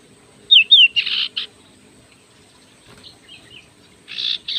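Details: Oriental magpie-robin, kacer sirtu type, singing. Two sharp whistled slurs lead into harsh buzzy rasps, then softer scattered whistles and another rasping burst. Faint low background noise is present.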